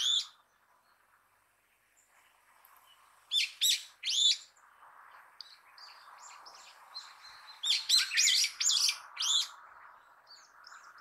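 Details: Brown-eared bulbul giving its call (not song): loud, harsh, squealing notes in short bursts of two or three, with a softer chattering bird in the background.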